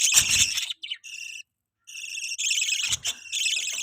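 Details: Captive budgies at a feeding of their baby give raspy, nasal chirps in close succession, with short bursts of rustling and scraping between calls.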